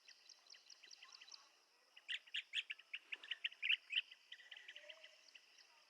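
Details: Blue-tailed bee-eater giving quick trilled chirps in a rapid run, faint notes at first then a louder burst of about a dozen short rolling calls, against constant high insect buzzing.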